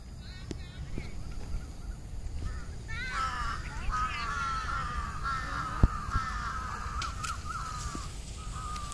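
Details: Crows at their treetop nests in the evening before dark: a few clicks and knocks, then a chorus of harsh, rasping caws from about three seconds on, overlapping and sustained, with low background rumble.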